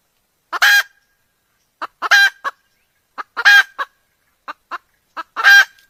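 Red junglefowl giving loud, harsh, nasal squawks about every one and a half seconds, each led by one or two short clucks; nothing else is heard.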